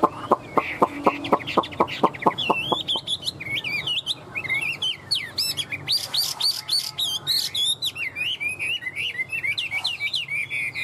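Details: Captive spread-tailed Chinese hwamei that flicks its tail while singing like a laughingthrush opens with about a dozen sharp repeated notes, then runs into loud, varied, rising and falling whistled phrases.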